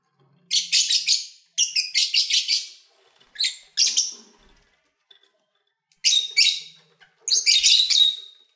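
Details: Lovebirds, kept birds, singing and playing while eating; harsh buzzy chirp bursts in quick runs, broken by short pauses, with bright high squeaks.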